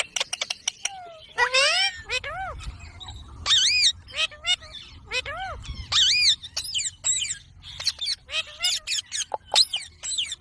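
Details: Pet Indian ringneck parrot talking in a string of high, speech-like syllables, arched harmonic notes repeated in quick bursts between sharp clicks and squeaks, with a faint low rumble in the background.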